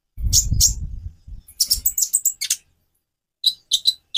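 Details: Konin sunbird song: a couple of high chirps over low rumbling, then a quick string of sharp high twitters, a pause, and three clear chipped notes.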